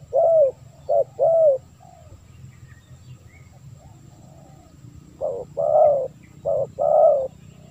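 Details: Spotted dove used as a lure for wild birds: two brief bursts of soft paired coos, short then longer, at the start and end, with a quiet gap of about three seconds between them.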